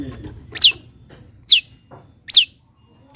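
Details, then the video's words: Long-tailed shrike (cendet) lure song meant to provoke lazy birds into singing: sharp, high descending whistled notes, each sliding steeply downward, repeated about every 0.85 seconds, four notes over quiet background. "CENDET GACOR || PANCINGAN CENDET MALAS BUNYI AGAR GACOR BONGKAR ISIAN"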